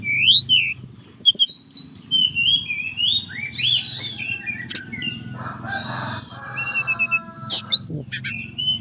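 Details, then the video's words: Captive mountain tailorbird in Purworejo, Central Java, singing a fluting song that calls a female. Rising and falling whistled notes, some buzzy bursts, and a steady low mechanical hum underneath. "Tledekan Gunung Gacor Nyuling Panggil Betina"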